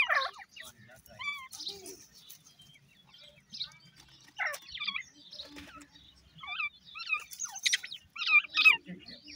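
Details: Squabbling grey francolin chicks from India make quick, scattered high cheeps and down-slurred squeaks in clusters, with quiet gaps between groups of calls.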